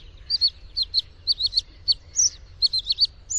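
A Bluethroat sings a quick string of high, sharp chirps, often in tight pairs and triplets, with a faint low rumble underneath.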